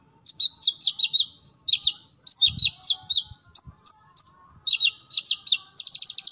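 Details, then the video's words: Sunbird in captivity with a full, busy song for training: groups of sharp chips followed by falling slurs, repeated in short phrases, ending in a fast buzzy trill. "Kolibri Ninja Gacor Full Materi"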